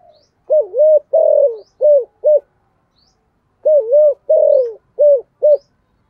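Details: Spotted dove lure bird, 'giọng thổ' voice, calling repeatedly through the day: two matching cooing phrases about three seconds apart, each a double coo, a long slurred coo and two short coos, deep and mellow in a quiet place.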